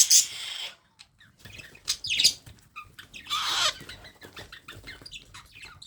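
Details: Baby parrot being hand-fed, giving harsh, raspy high squawks in three bursts, the first and last longest, with short gaps of quiet and faint clicks between.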